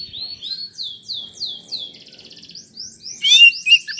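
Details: Lure song of an oriental magpie-robin, meant to provoke a quick response from a slow-to-warm bird: a run of repeated downslurred whistles, then a rapid buzzy trill, ending in loud, jumbled high notes.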